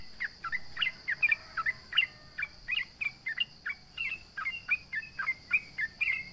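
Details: Lively sooty-headed bulbul (trucukan) taunting opponents with a long series of bright chirped notes, each dropping then flicking upward, repeated roughly three times a second against a steady shrill hum.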